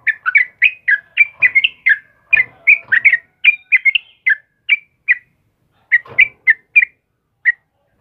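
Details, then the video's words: A sooty-headed bulbul of the kebo type sings energetically in the morning, giving quick chuckling whistled phrases that thin out into separate notes with gaps, with a few soft knocks in the background. "TRUCUKAN JENIS APAPUN PASTI RESPON DENGAN TRUCUKAN KEBO INI || suara burung trucukan GACOR PAGI HARI"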